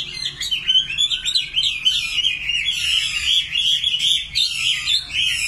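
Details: Nightingale singing a continuous stream of quick, high chirps and warbles, closely packed and varied in pitch.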